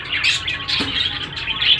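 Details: Ring-necked parakeet chicks bred at home, producing overlapping scratchy, raspy squawks in short surges, with a brief low knock near the middle.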